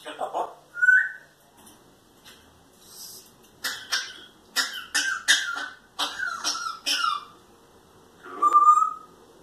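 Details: Two pet parrots kept indoors imitating human noises, coughing and farting: a squeaky whistled note, then a string of harsh, broadband cough-like bursts in quick succession, ending with another squeaky whistle, in a quiet small room.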